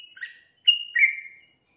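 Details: A female sooty-headed bulbul, used as a lure call to draw males into singing, gives two quick, liquid whistled phrases: a short bubbly note, then a louder slurred whistle falling slightly in pitch. No other sounds.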